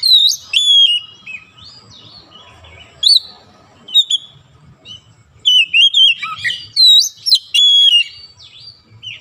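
Oriental magpie-robin singing bursts of rich, varied whistles, sliding notes and sharp chirps, delivered in quick phrases with short pauses between them.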